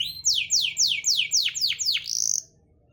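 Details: Canary singing, played to lure silent canaries into song: a series of clear whistled notes, each sweeping steeply downward, repeated about three times a second, ending in a quick buzzy high trill.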